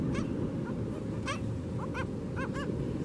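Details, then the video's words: Black skimmers at a local breeding colony: short barking, stacked harmonic calls repeated irregularly over heavy low rumble of surf or wind. "Black Skimmers"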